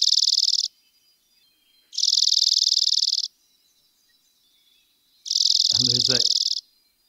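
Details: A Dark-eyed Junco, also called snowbird, gives three dry, rapid, even trills on one high pitch, each about a second long, played as a recording to attract birds to a window; a person murmurs during the last trill.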